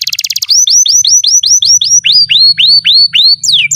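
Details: Canary song used as a master recording for young canaries and canaries that have stopped singing: a rapid buzzy trill, then a series of clear whistled notes sweeping upward about four times a second, ending in two falling whistles.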